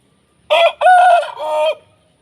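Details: A single clean Aseel rooster crow of three joined parts, a short opening note, a long held middle note and a slightly lower closing note. The recording is otherwise quiet.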